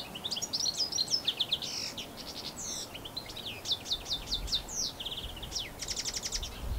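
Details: European goldfinch singing in New Zealand, recorded on a Canon SX60HS; a lively stream of tinkling, high notes and liquid twitters, ending in a fast buzzy trill, over faint low noise.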